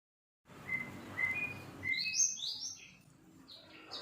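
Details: Young sirpu bird learning to sing: short clear whistled notes near one pitch, then a run of higher rising and falling whistles, with faint low background noise.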